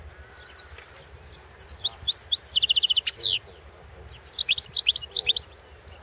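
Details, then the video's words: Goldfinch competition song from the 2016 world championship: two lively phrases of high, liquid twittering, each containing fast runs of repeated buzzy notes and sharp falling slurs, against a quiet background. "World championship in Goldfinch Song 2016"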